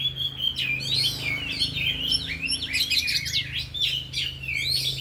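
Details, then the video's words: Afternoon training of four oriental magpie-robins displaying their isian repertoire: a continuous stream of rapid chirps, rising and falling whistles and scratchy trills, overlapping densely throughout, with a steady low hum beneath. "Latihan Kacer di Sore Hari Biarpun Hanya Burung 4 Tapi Jalan Semua dan Bongkar Isian"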